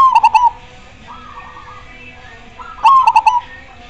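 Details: Zebra dove, perkutut, singing gacor: a bright rolling coo phrase of three quick notes, a fainter answering coo from another bird, then the loud phrase again about three seconds later.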